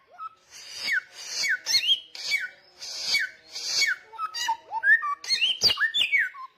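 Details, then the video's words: Samyong delivering loud, persistent song: a short low whistle, then repeated raspy downward-sliding phrases, followed by varied mid-pitched whistled notes, rising slurs and a sharp high note near the end. "SAMYONG Gacor Ngotot Suara Kenceng"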